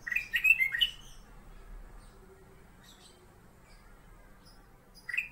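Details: Caged ruby-throated bulbul (black-crested bulbul, Pycnonotus melanicterus) singing: a quick burst of bright, chirpy warbled notes, several seconds of silence, then another short phrase, over faint low room hum.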